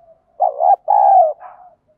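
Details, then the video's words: Spotted dove, 'giọng đồng' lure call meant to provoke wild doves to fight near a decoy; one deep phrase of a wavering short coo and a long smooth hoot, trailing into a softer closing note. "chim cu gáy giọng đồng thúc đấu, dùng bẹo bổi thì hiệu quả nhất"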